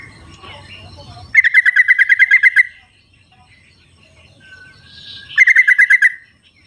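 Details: Yellow-vented bulbul singing in the wild, a recording meant as a lure for birds that stay quiet. It gives two long runs of about a dozen rapid, evenly paced bubbly notes, with a brief thin whistle between them.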